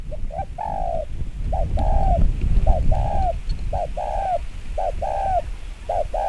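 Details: Rapid provoking coos from a decoy spotted dove, short notes paired with longer falling coos repeated in a steady string, over loud low rumbling background noise.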